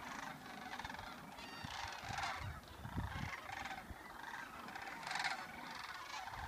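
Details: Many migrating sandhill cranes at Creamer's Field on 25 August 2014, heading south, give rolling, trumpeting calls overlapping continuously in a noisy chorus, with low background rumble.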